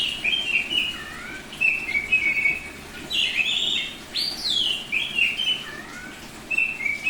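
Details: Semi-tame Bali oriental magpie-robin (kacer) singing in the full, open 'ngeplong' style: a varied string of clear whistled phrases, some sliding up or down, others short and chirpy, with brief pauses between bursts.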